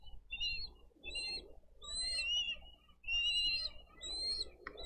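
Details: Wild bald eagle pair feeding eaglets fish at a Dade County nest, 22 April 2023, live nest camera; high piping whistles in quick two- and three-note groups, with steady low rumble underneath.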